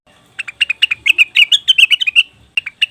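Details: Leafbird lure of cucak wilis or rengganis: lively chattering phrase of chirps that slur up and down in pitch, followed after a short break by a few more crisp notes.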